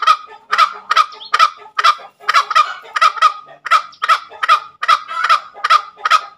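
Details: Tame junglefowl giving its ngekek cackling call: rapid, harsh, broadband clucks repeated about twice a second in an unbroken run, each burst with a strong ringing middle tone, with no other sounds standing out.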